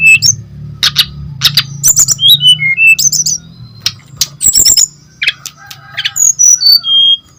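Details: Brown-chested jungle flycatcher in active song, played as a lure for other birds: varied high whistles, sharp up-and-down slurs and dry clicks delivered in quick irregular phrases over a faint low hum.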